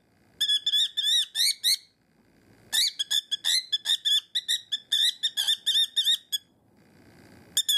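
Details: Pet cockatiel kept indoors, screaming at the sight of its owner's fingers after learning that biting draws a reaction. Harsh, buzzy shrieks come in a fast burst of about eight, then a pause, then a longer run of about thirteen.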